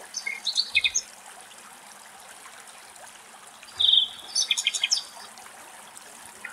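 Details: Nightingale song from the foliage of an almond tree in Greek nature: two short bursts of high whistled and chirping notes, the second opening with a pure sustained whistle, with quiet gaps between them.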